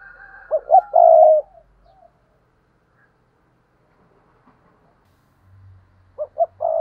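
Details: Decoy spotted dove cooing: two short clipped notes and a longer sustained coo, a long quiet gap with a low hum, then the phrase starts again.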